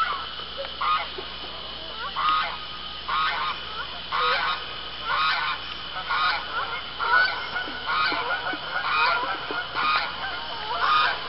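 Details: Honking geese on an Arkansas pond at sundown in early October, two gray geese calling as others fly in and land; loud nasal two-part honks repeat roughly once a second in a busy overlapping flock chorus.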